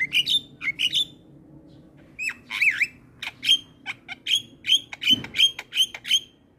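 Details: Gacor Javan myna (jalak kebo) song: rapid harsh chattering notes mixed with short whistles, ending in a steady series of sharp clicks about every quarter second.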